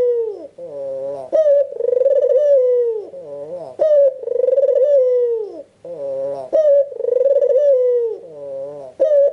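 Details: Repeated coos of an albino Barbary dove with red eyes, played to lure other doves into calling: each phrase a sudden bright onset, a long buzzing trill sliding lower, then a soft rising harmonic note, roughly every two and a half seconds.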